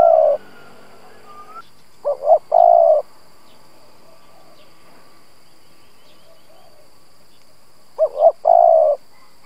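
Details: Spotted dove used as a decoy to lure other doves, giving low hollow coo phrases of a quick double note, a short note and a long sustained coo, repeated about six seconds apart in a quiet setting.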